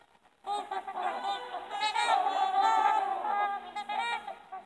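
Trumpeter Swans giving loud, nasal, horn-like honks, several birds calling over one another in a rapid, overlapping chorus.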